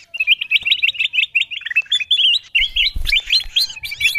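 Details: Bulbul lure call (kutilang emas) meant to bring wild birds in: a fast series of clipped, slurred whistles, followed by louder jumbled chirps. A low thump sounds near the end.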